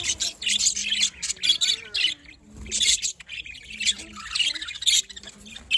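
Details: Budgerigars chirp in the morning, a busy warbling chatter of high scratchy notes and rapid tweets in repeated surges, with soft lower whistles beneath.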